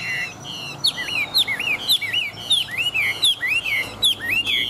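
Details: Caged Chinese hwamei, an old wild-caught fighting bird with a big body and a fine forest voice, delivers a fast, varied run of loud, high whistled notes that sweep up and down, with short rapid slurs and barely a pause.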